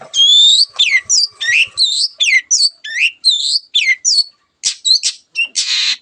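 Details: Cendet, a long-tailed shrike, singing hard, a song used to provoke other birds into song: a rapid string of clear, varied whistles slurring up and down, with brief gaps, ending in short harsh rasping bursts.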